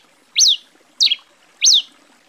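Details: Tico-tico-rei-cinza, the grey pileated finch of Brazil, gives three clear piercing notes that rise fast and fall away, spaced roughly every 0.6 seconds over a soft watery background.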